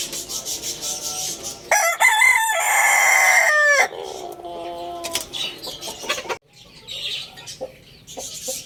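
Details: A rooster crows once for about two seconds, a bright, rough harmonic call that rises and then sinks, preceded and followed by soft clucking and faint chirps in the background.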